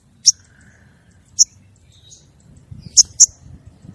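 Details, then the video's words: Female crested jay calling to the male: a few sharp, high, chirped notes spaced about a second apart, then a quick pair near the end, over faint low background rumble. "suara burung sogon betina manggil jantan"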